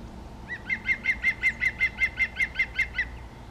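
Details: Middle spotted woodpecker calling: a quick run of about thirteen nasal, squeaky notes at an even pace, strongest in the middle and fading at the end, over quiet background.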